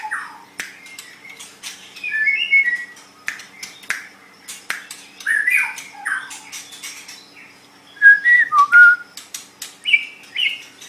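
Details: White-rumped shama kept as a pet, song used as training material for caged songbirds: scattered short whistled phrases around the middle pitch mixed with sharp clicks and harsh squawky notes, ending in a louder burst of quick whistles.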